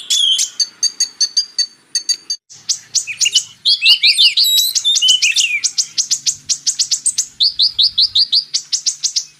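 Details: Purple-throated sunbird (kolibri ninja) song in magpie robin tutoring material: high, thin, dry chips delivered quickly, with a tangled twittering burst midway, then further rapid even chips, and no other sounds besides a faint low hum.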